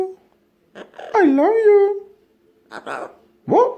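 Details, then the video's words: Nine-month-old pet Amazon parrot indoors, talking like a human after learning to cough: a drawn-out voiced word that dips and then levels off, with shorter speech-like syllables before and after. "Funniest Amazon Parrot Coughing & Talking like human"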